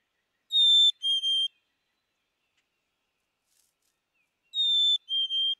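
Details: Two sweet whistled phrases from a black-capped chickadee, four seconds apart, each a clear descending pair of notes, the second with a tiny break; still, quiet surroundings.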